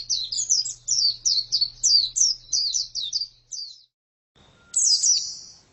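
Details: High twittering song of a female white-eye: quick slurred chirps for about three and a half seconds, a brief pause, then a burst of sharper, brighter high notes.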